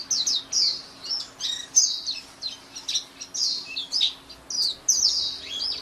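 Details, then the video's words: Pleci, the white-eye, pours out busy high twitters and sharp chips in uneven phrases about half a second apart, a low hum in the background. "SUARA MAHAL KICAU BURUNG PLECI"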